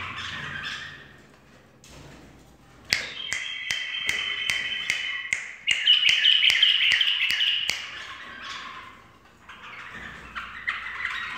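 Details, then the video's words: Bulbul in full song to a person's finger clicks: sharp, evenly spaced clicks open the passage, then a run of bright, chattering warbled notes rises over them before quieter scratchy phrases. "بلبل فووول ويه طكت ألاصبع"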